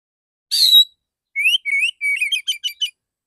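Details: Male Oriental magpie-robin, shooting "tembakan" song in clear voice: a rasping buzz, then upward-swept whistles speeding into a rattle of short, crisp, evenly spaced notes.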